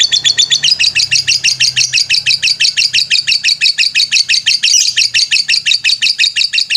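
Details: Lovebird master song in the ngetrek style, used to train birds: a steady, rapid stream of bright, high chattering notes, evenly paced and unbroken.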